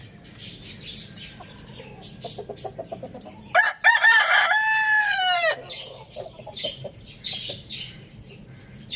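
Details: An American rooster crowing loudly in the morning, one long harmonic crow lasting about two seconds with a falling end, amid clucking and chirping of other birds before and after.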